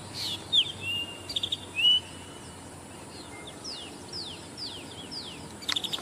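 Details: Zitting cisticola calling unseen: high ticks alternate with short arched whistles, repeated several times. A run of quick downward-sweeping notes follows, then more ticks, over faint background hiss.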